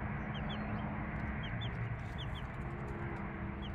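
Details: Three-day-old chicks with their mother hen: short high peeps falling in pitch come in quick bursts, with a low steady tone underneath and constant broadband background hiss.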